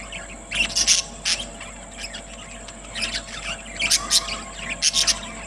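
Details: Caged budgerigars, including a newly acquired one, recorded on 26 September 2023 in Larkana, Sindh, give bursts of high, scratchy chirps and squeaks with short pauses between.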